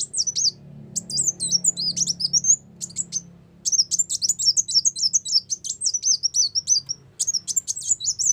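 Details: Ruby-cheeked sunbird song played to lure birds into traps: long stretches of rapid, very high twittering, with zigzagging whistles and sharp chips run together, interrupted by brief pauses; low murmur in the background.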